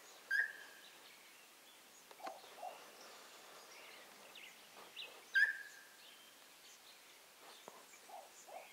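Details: Moustached Turca (Pteroptochos megapodius megapodius) in Parque Nacional La Campana, V Región, Chile, gives two loud, abrupt mid-pitched notes about five seconds apart, each trailing into a short even tone, with faint chirps of other birds.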